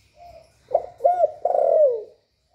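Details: Spotted dove call used to stimulate other kept doves: a soft lead-in coo, then a short note, an arched coo and a long loud slurred coo falling in pitch at the end.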